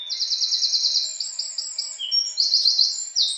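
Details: House wren delivering a continuous high, rapid trill that steps through several pitch levels, buzzy and bright, ending in a quick burst of chattering notes.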